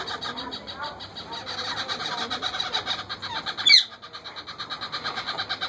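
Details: Hungry parakeet chicks being fed by a wild parent: a steady stream of harsh, buzzy, pulsing begging notes, about four per second, broken by one brief loud squawk.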